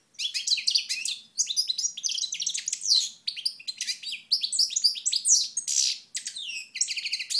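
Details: European goldfinch in Moknine, 2012, basking in a ray of sunlight: a long, fast stream of tinkling, twittering song with rattling trills and buzzy notes, broken by short pauses roughly every second.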